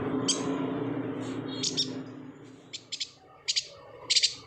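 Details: Singing yuhina, Kalimantan, kept as tutor material for songbirds such as magpie-robins: after a low humming start, high thin chirps come in pairs and small bursts, growing louder toward the end.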